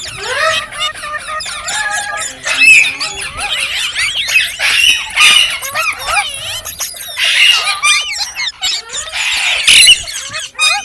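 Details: Shrill, high chattering from green parrots, a dense stream of screeches and twisting whistles rising and falling in loudness.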